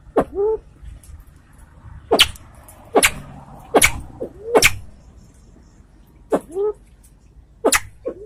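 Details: Aceh's white-tailed Salvadori's pheasant: loud cracking clicks in loose bursts, several trailed by brief rising, slightly nasal whistles; faint hiss and low hum behind.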